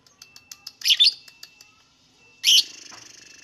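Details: Lovebird song meant to stir other lovebirds into calling: faint ticking notes lead into a double shrill chirp, a pause, then a harsh raspy squawk trailing into a buzzing rattle.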